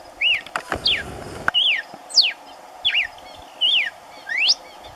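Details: Red-cowled cardinal singing unseen in the background in caatinga while another feeds on corn on the ground: short, clear whistled slurs, some rising, some falling, every half to one second; brief rustling burst early on.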